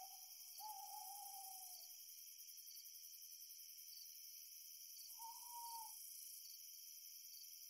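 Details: Owl hooting at night during a full moonrise: two separate long, even hoots about four seconds apart, the second slightly higher and shorter, over an unbroken high-pitched trill of crickets.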